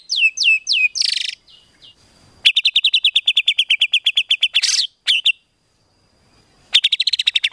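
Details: Rapid-fire tembakan filler song of a white-rumped shama, for tutoring contest birds: a few swooping whistles, a harsh buzzy note, then a long even run of sharp high notes, a brief pause, and another quick run.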